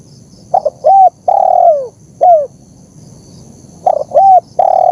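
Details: Spotted dove master recording for training captive birds and attracting wild ones: hollow cooing phrases of short stuttered notes, a long sagging coo and a clipped coo, the second phrase beginning near the end.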